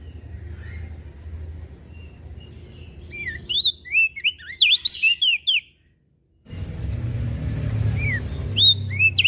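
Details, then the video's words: Mountain leaf warbler singing over steady low rumble: a rapid run of high, bright, slurred whistled notes lasting about two seconds, a brief silence, then a few more scattered whistles against renewed rumble. "Opior Jambul Gacor Siang Malam"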